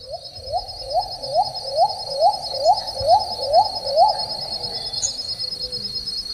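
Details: A shy Little cuckoo-dove in shaded forest giving about nine quick, low, slightly rising coos, roughly two per second, over a steady high insect drone.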